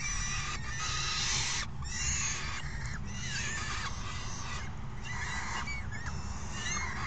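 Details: Noisy falcon young beg while a parent feeds them after the other brings a meal, 3 June 2018. Rasping, overlapping cries with pitch slides recur in several bursts over constant low hum.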